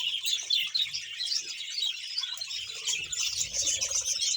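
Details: Budgerigars, about one hundred in a colony kept in Bahawalpur, Pakistan, producing a constant high chorus of chirps and squeaky warbles, densely layered, with a soft low thud near the end.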